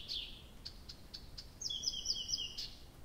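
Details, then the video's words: Abramtsevo nightingale, night of 6 June 2021: soft high notes repeated about twice a second, then a long rapid two-pitched trill rolling for nearly a second. "Соловей поёт всю ночь"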